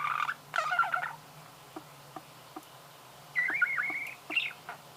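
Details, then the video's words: Budgerigar song: short bursts of scratchy, warbling chatter with a few isolated clicks in between, ending in a wavering whistled phrase, over a faint low hum. "Пение волнистого попугая"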